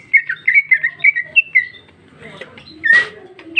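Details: A female greater green leafbird pours out loud, open, varied song full of filler phrases: a quick series of short repeated whistled notes, a pause with soft chatter, then a harsh rasping burst and a final whistle.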